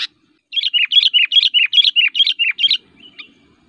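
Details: Kutilang giving an aggressive, persistent fighting song meant to provoke other kutilang: a run of about ten paired bubbly whistled notes alternating up and down, about two per second, then a faint trailing note.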